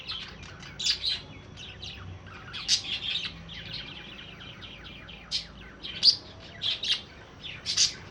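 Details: Budgerigars chirping in the morning: a busy, high-pitched chatter of short warbled notes and squeaks.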